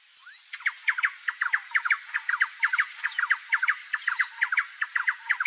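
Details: Female Little Woodpecker looking out from the nest hole, alert and watchful; a loud, fairly regular run of quick, sharp ticking notes, paired and grouped, about once a second throughout, with faint high insect buzz behind.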